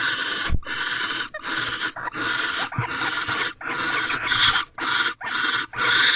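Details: Mating pair of barn owls, female and male, bonding in a nest box at 2:16 am on 4/6/23: continuous raspy, broadband hissing screeches packed closely together, roughly two per second, with faint rustling beneath.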